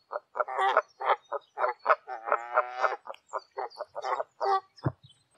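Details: Wild Canada geese calling in flight high above the ground somewhere in Canada: a rapid run of short, nasal, harmonic honks from several overlapping voices, about three per second, with one longer drawn-out honk in the middle.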